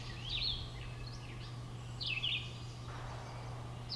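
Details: American redstart on 14 May 2012 at Great Swamp WMA, West Kingston, Rhode Island, singing short, high, thin sibilant phrases spaced over seconds, with other songbirds in the background over a steady low hum.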